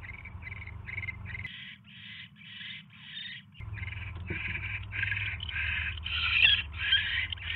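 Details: At the nest, a barn owl calls as a mouse arrives, 7:24 PM, 27 January 2016; loud harsh hissing screeches run in close succession, growing stronger toward the end, with intermittent low hum.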